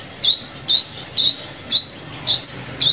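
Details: Repeated sunbird lure call for trapping, each note a bright upward-sweeping chirp with a brief downward start, given six times at even intervals of roughly half a second.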